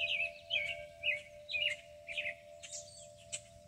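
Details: Birds singing in the Kentucky countryside under a hackberry tree: repeated short, bright chirped phrases about twice a second. A steady wind-chime tone rings beneath, with a low rumble of background noise.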